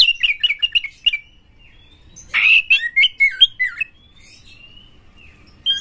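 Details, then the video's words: White-rumped shama, a champion singer in full song with tail spread, used to provoke rival shamas: a fast series of short repeated chips, then buzzy and whistled phrases, ending in thin drawn-out whistles. "Pancingan Kacer Juara Gacor FullEmosi Buka Ekor KONSLET memancing KACER LAIN"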